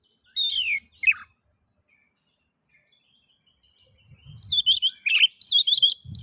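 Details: Oriental magpie-robin (kacer) in 'ngeplay' style song, played as a lure to stimulate other magpie-robins to sing: two quick sweeping whistled phrases, a pause, then a rapid run of bright, repeated chattering whistles over a faint low rumble.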